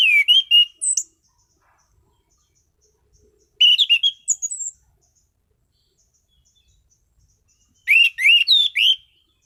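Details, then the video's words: Caged orange-headed thrush (anis cendana) repeats varied song phrases every few seconds: rapid bursts of rich rising and falling whistles mixed with thin high notes, clear in a quiet room. "Burung Anis Cendana Gacor mapan.!!!"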